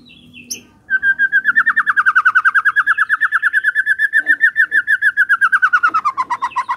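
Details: White-rumped shama song played in the morning to make a silent shama sing: after a brief high note, a long, fast, steady trill of rapid notes slowly falling in pitch, over low background noise.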